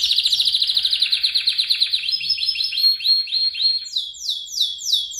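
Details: Canary song for training other birds: a fast rolling trill of rapid notes that slowly fades, followed by a series of high looping whistled phrases.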